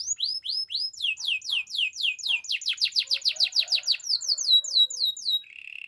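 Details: A Belgian canary sings in the morning: rhythmic chains of rising-then-falling whistled sweeps, speeding up into a dense run of downward slurs, closing with a brief buzzy trill.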